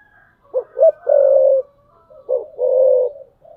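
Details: Spotted dove kept as a perched decoy, 'thúc bổi' cooing: a loud phrase of two clipped notes and a drawn-out purring coo, quickly followed by a second, shorter phrase; quiet background.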